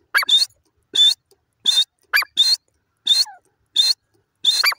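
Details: Grey francolin call: rasping, high-pitched bursts repeated about every 0.7 seconds, mixed with shorter, lower, rising notes before some of the bursts.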